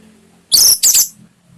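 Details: Orange-headed thrush song used as a lure to prompt a kept bird to sing fully: two loud, high, whistled notes in quick succession, then silence.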